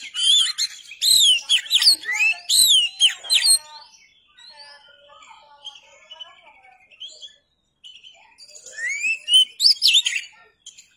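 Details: Oriental magpie-robin song for tutoring birds: loud, rich bursts of arching whistles and chirps, a quieter stretch of soft warbling, then another bright run of rising whistled phrases.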